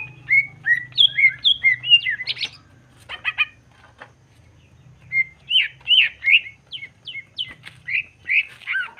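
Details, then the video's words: Greater green leafbird full 'nembak' song to stir emotion: tumbling slurred whistles, a few buzzy clicks, a quiet gap, then a lively run of rising and falling whistled notes. "Cucak ijo gacor jamtrok Nembak bongkar isian. Pancingan emosi cucak ijo dijamin emosi"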